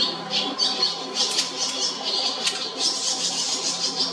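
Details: In a nest at the JR Shinodayama station building in Japan, Barn Swallow chicks keep up high, hissing twitters that swell into louder chirping clusters toward the end.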